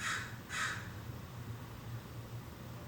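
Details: Two loud, raspy caws about half a second apart from American crows in a California backyard, recorded indoors, then quiet with a faint low hum.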